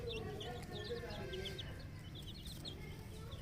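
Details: Flock of 10-day-old chicken chicks on a poultry farm, peeping constantly in quick, high, downward-slurred notes that overlap into a busy chorus, with a low steady hum underneath.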